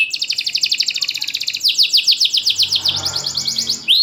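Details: Caged champion canary with loud, tightly spaced song, a lure for lazy singers: long rapid trill of repeated notes, then louder swept notes, with a faint low background rumble.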